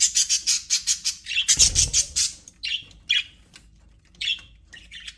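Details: Budgerigars in an aviary give a fast run of sharp, high chirps, then a brief rustle, followed by scattered squawky calls spaced about a second apart.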